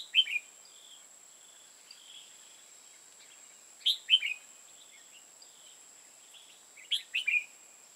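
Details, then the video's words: Decoy red-whiskered bulbul at a trapping site in Hoa Binh, Vietnam, repeating a short loud phrase of three or four clear slurred whistles about every three seconds, fainter notes between, over a constant high-pitched hum. "Bẫy chào mào hòa bình"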